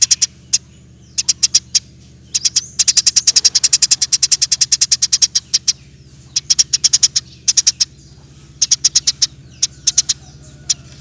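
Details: Rapid 'ngerol' chatter from a Eurasian tree sparrow, recorded as training material for songbirds: long rolling series of piercing chirps, dense and almost continuous in the middle, thinning to short bursts, with a constant low hum underneath.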